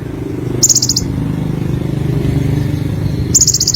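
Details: Olive-backed sunbird, the Indonesian konin, giving two brief, high, fast trills about three seconds apart, nearly drowned by a loud continuous low rumble like engine noise.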